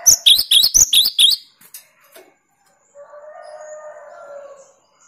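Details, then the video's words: One quick volley of about six piercing, high-pitched doubled notes from a cinereous tit in 'tembakan' style, used to challenge rivals. A brief silence follows, then a lower, rough buzzing sound. "Tembakan burung Gelatik Batu paling joss melatih mental lawan"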